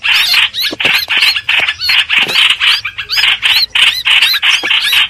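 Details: Streak-eared bulbul for lure trapping: lively series of squeaky, arched notes in short bursts, with several clear looping whistles toward the end.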